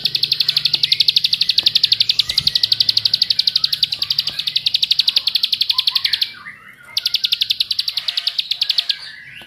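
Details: Bar-winged Prinia, in a recording used to prompt other prinias to sing, giving a fast, high, buzzy trill of repeated notes, about four a second, broken by one short pause.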